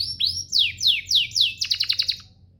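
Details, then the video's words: Canary master song used for training caged canaries to sing: a run of four clear descending whistled sweeps, then a fast trill of about seven rapid notes, bright and high, with a faint low hum beneath. "Masteran Mewah Spesial agar burung kenari cepat GACOR"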